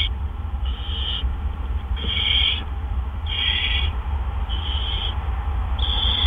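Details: Barn owl nest during an evening double gopher delivery, April 17, 2013; five hoarse hissing calls at fairly even intervals of about a second, over a persistent low hum.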